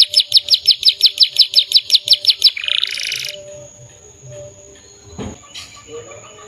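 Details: Canary singing gacor: a rapid trill of high, bright notes for about two and a half seconds, then a harsh buzzy burst, followed by quieter background sounds and a sharp knock.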